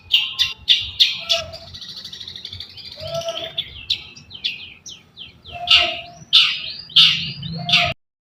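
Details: Long-tailed shrike giving a song style known locally as katem sambung greja: loud, harsh, buzzy chips repeated in quick bursts, with a scratchy chattering passage in the middle.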